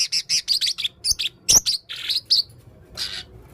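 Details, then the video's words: Male blue-crowned hanging parrot with red throat, singing actively with a full repertoire: a rapid run of shrill, high, thin chirps in short bursts, then a looser trill and a final buzzy note after a pause. "burung serindit jantan leher merah gacor full materi main singa"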